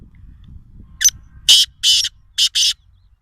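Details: Black francolin (Francolinus francolinus) call: five harsh, grating, high-pitched notes in a quick, uneven sequence over about two seconds, against a quiet low rumble.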